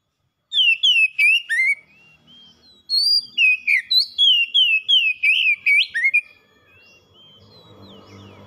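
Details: Pet oriental magpie-robin (kacer) singing gacor-style: a fast run of clear whistled notes, each sliding down, delivered in two bursts about three times a second with a short pause between. Faint low rumble follows at the end.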